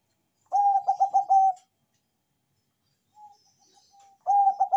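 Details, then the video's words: Bangkok-type zebra dove with a big, lively voice, kept to prompt other doves to sing. It gives two bursts of fast, stuttering coos with a soft single coo between them, in a quiet room. "PERKUTUT BANGKOK GACOR SUARA BESAR ISTIMEWA‼️COCOK UNTUK PANCINGAN"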